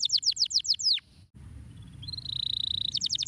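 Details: A canary's stimulating song: about seven loud downward-sweeping notes, a short silence, a thin steady whistled tone, then the start of a fast trill.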